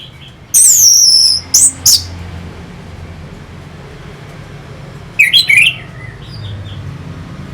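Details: Song of an orange-headed thrush played to provoke competing birds: a very high, thin whistle sliding downward, two quick sharp notes, a long quiet gap with low hum, then a short burst of twisting whistled notes.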